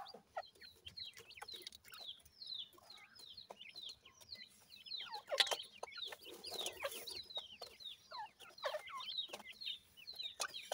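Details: A brood of dakhni teetar chicks, francolins, keeps up continuous thin high peeps that slur downward, many voices overlapping, with brief noisy rustling bursts in the middle.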